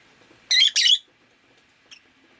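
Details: Rosy-faced lovebird indoors on a rainy day, letting out two loud, harsh, buzzy squawks back to back, followed by one faint short chirp, with a soft steady background hiss.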